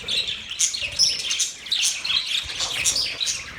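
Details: Budgies chirping: a steady stream of high, bright tweets and warbled chatter, with a few thin whistled notes and short scratchy squeaks overlapping throughout.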